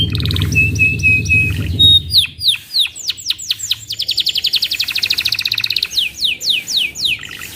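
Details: Canary singing: a buzzy rattle and a steady high whistle give way to loud descending whistled sweeps, then a fast even trill of rapid notes and more falling sweeps; low rumbling noise in the first two seconds.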